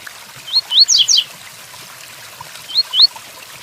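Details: Double-collared seedeater giving the Tui Tuí Fibra song with rain falling: paired upslurred whistles lead into two sharp descending notes, followed by two more rising whistles, all high-pitched against a soft patter of rain.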